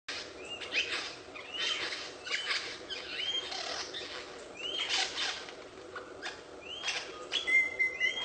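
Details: Lyrebird delivering a busy run of varied sounds: short upswept whistles, sharp broadband clicks and snaps, and rasping bursts in quick succession, with a clear ringing whistle near the end over a steady background hiss.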